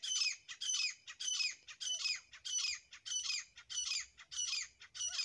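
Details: Loud, raspy, rhythmic calls from a grey francolin pair (desi teetar), phrase after phrase at a regular pace of roughly two per second, with faint low rumble underneath.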